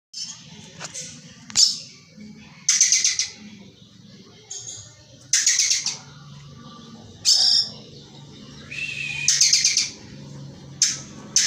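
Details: Oriental magpie-robin (kacer) performing kingfisher (tengkek buto) material: loud, harsh, buzzy bursts high in pitch, about one every two seconds, with brief thin whistles and softer chatter between them and low background hum.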